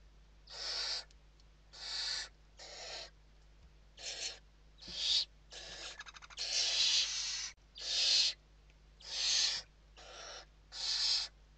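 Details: Western barn owl chicks inside a nest box in Spain during evening feeding, 29 November 2023: harsh, broadband hissing screeches in bursts under a second long, about a dozen in quick irregular succession.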